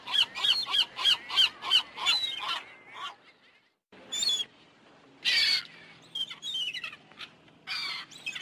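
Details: Gulls calling in a quick series of harsh, arched notes for about three seconds, then scattered single louder squawks after a short pause.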